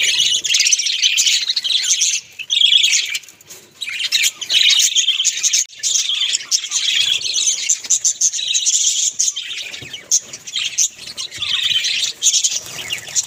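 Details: A cluster of pet budgies in the home chatters at length, scratchy warbles and high tweets pouring out in overlapping bursts with brief gaps between phrases.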